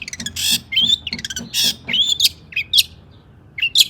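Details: Long-tailed shrike in excited song meant to stir rival shrikes to sing: harsh, noisy bursts alternate with clear, high, slightly rising whistles, the pattern broken and uneven.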